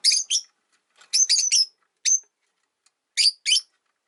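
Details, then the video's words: Caged Rosy-faced Lovebirds, three birds newly together by a window with friction between the resident and a newcomer; bright, sharp chirps in doubles and a four-note cluster, then a single note and a closing pair. "Lovebird Chirping Sounds"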